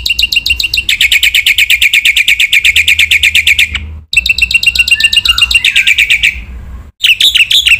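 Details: Full-fill training song of a vigorous Black-winged myna, said to provoke other mynas: long, very rapid runs of repeated chirps broken by short silences, with a soft low slurred note midway and harsh bursts at the end.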